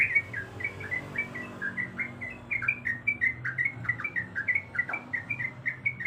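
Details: Sooty-headed bulbul female calling to a male, delivering a steady stream of clear, slurred whistled notes that bounce up and down in pitch at a brisk, even pace over a soft background hum.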